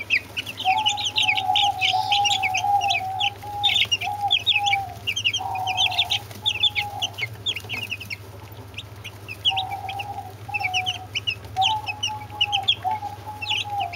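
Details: Brooding group of Brahma chicks with two Orpington chicks: many high, thin peeps chirped in quick clusters throughout, over a steady mid-pitched whining tone that starts and stops and a constant low hum.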